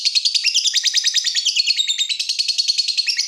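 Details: Lovebird singing nonstop as a tutor and lure recording: a dense, rapid, scratchy chatter of high notes, about ten pulses per second, sustained throughout.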